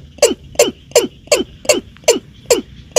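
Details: Keb-keb, the Watercock, calling for use as a hunting lure: a brisk run of eight abrupt falling notes, evenly spaced about every 0.4 seconds, with a thin continuous high tone behind them.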